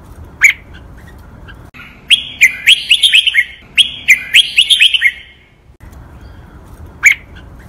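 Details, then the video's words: Teaching song of a caged red-whiskered bulbul in the Thai doubled 23 counted-note, master-pattern, Lak Wai and Pa La-u styles. Sharp single chirps frame two rapid, bubbly phrases of whistled notes, with quiet background between them. "นกกรงหัวจุก | รวมเสียงร้องเบิ้ล 23 นับดอก แม่บท ลากหวาย เพลงป่าละอู"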